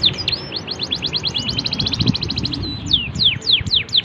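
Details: Canary song with fine phrasing, used as a master recording for tutoring young birds; rapid trills of high, sharply falling whistled notes, about eight per second, then slower sweeping notes, over a low background hum.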